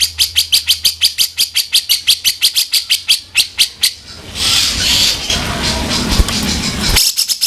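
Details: ["Grey-cheeked bulbul singing its rough 'kasaran' style, used as a vocal tutor for songbirds: a long run of about twenty-five rasping, chattering notes roughly four per second, a noisy hissing pause, then the notes resume."]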